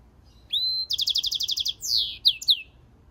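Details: European goldfinch × canary mule singing: a rising whistled note, then a fast buzzy trill of repeated high pulses, ending in two or three sharp downward-sweeping whistles, in a quiet setting.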